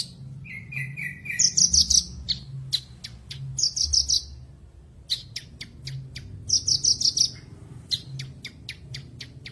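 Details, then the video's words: Tutor song of a branjangan, Horsfield's bush lark, meant to restart singing in a bird gone silent after moulting or stress: repeated high, rapid buzzy note runs alternating with sharp isolated clicks, low background hum. "MASTERAN BURUNG BRANJANGAN MACET BUNYI"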